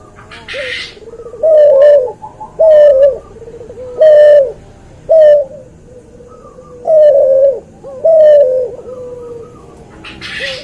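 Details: Tutor recording of a cuhu dove, bred from a white albino puter and a puter pelung, repeating loud rounded coos about once a second with quieter coo notes between and occasional rustling noises.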